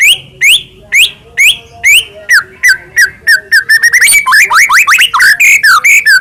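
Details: White-rumped shama song used in the morning as a lure to get a kept shama singing: a run of loud downslurred whistles about twice a second, then faster rising sweeps and quick varied notes.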